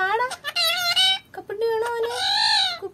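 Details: Pet parrot imitating Malayalam speech: a run of word-like, harmonic syllables with rising and falling tones, some drawn out, in a small indoor space.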